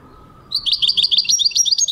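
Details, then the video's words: Goldfinch song, recorded 2023, starting after a half-second pause: a lively burst of tinkling, twittering notes repeated rapidly and unevenly, high and bright, with a quiet low hum underneath. "goldfinch singing chardonneret jilguero singing"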